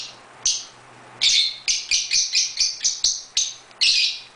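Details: Pet lovebirds in a birdroom: one lone shrill chirp, then a quick stuttering series of about ten clipped, harsh chirps in close succession, ending on a louder buzzy note.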